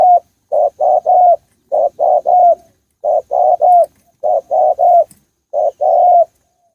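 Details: Spotted dove in Thai forest giving clear, hollow coos in phrases of three notes, the last one longest and slightly rolling, with phrases repeated about every second and a half in quiet surroundings.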